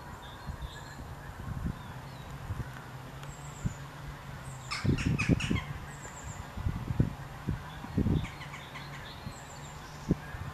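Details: A flock of Pink-footed Geese with a single Barnacle Goose at Allander Water on 7 March 2021 gives a few short, high yelping calls in quick clusters, over steady low wind rumble and handling thumps.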